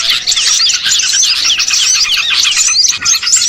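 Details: Lure recording of small birds massed together to attract more birds for catching; a busy, continuous flurry of sharp high tweets and rapid twitters from many callers at once.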